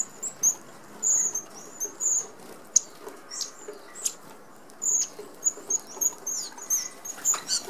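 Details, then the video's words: Flock of Red-browed finches at a 25 mm mesh open aviary feeder in Australia, giving a steady run of brief, piercing high whistles, several per second at times, mixed with sharp clicks and fluttering wings. "Red Browed Finches"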